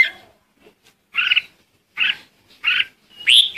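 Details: Red-whiskered bulbul decoy song meant to summon the flock, heard as three short throaty chirps at even spacing, ending in a brighter rising whistled phrase.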